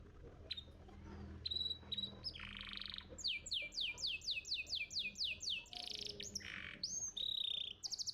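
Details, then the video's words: Competition-champion canary singing, a master recording for tutoring young birds: scattered thin whistles and a harsh buzzy burst, then a quick run of repeated falling notes, followed by a rasping note and a clear high whistle. "Pancingan Kenari Muda Cepat Bunyi & Ngeriwik – Masteran Kenari Juara Gantangan"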